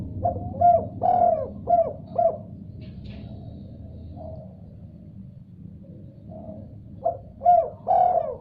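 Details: Spotted dove answering another call: a burst of four or five quick coos, a quiet gap with faint cooing, then another phrase of stressed coos ending in a longer note, with a faint low hum.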